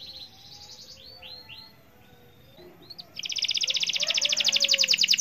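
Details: Gacor canary, its song intended to make other canaries join in: soft slurred notes amid background noise, then a loud, rapidly pulsing buzzy trill for the last two seconds.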